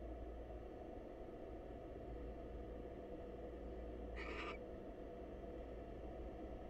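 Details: Wild barn owl pair at a nest box, the female dropping in to say hello to the male: a single short raspy screech midway through, otherwise only steady low hum.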